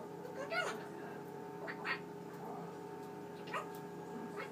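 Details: Pet male Eclectus parrot talking indoors at night, going through its vocabulary before bedtime covering; a few short, bright speech-like bursts separated by pauses, over a continuous fridge hum.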